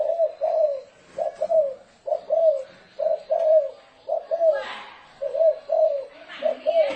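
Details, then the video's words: Spotted dove 'thổ rền' coo for decoy use. Low paired coos repeat roughly every second in a slightly noisy recording, with a rushing burst of noise and faint higher background sounds partway through. "Tiếng chim cu gáy thổ rền"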